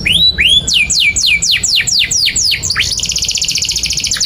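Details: Canary singing for young birds to learn from: two rising whistles, a series of about eight loud falling sweeps, then a fast, even trill of rapid repeated notes.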